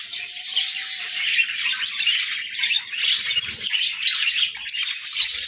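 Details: Several pet budgerigars greeting the morning with a thick layer of rapid chirps, tweets and short squawks, the flock's chatter rising and dipping in small waves throughout.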